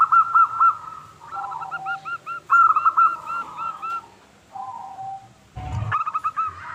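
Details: Local zebra dove singing to draw other doves to answer; clear paired coos followed by rolling bubbly phrases, a quieter lower coo, a knock, then renewed rapid notes.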